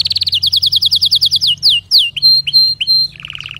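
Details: Canary singing a quick run of rising-falling notes, about three per second, then downward-sliding whistles, repeated clear piping notes, and a low buzzy roll at the end.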